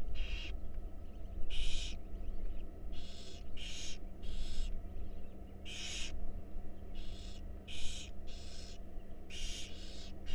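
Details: Wild barn owl owlets in a monitored nest box, being fed: harsh, breathy hissing screeches in long bursts, several per few seconds, irregularly spaced, over a steady low hum.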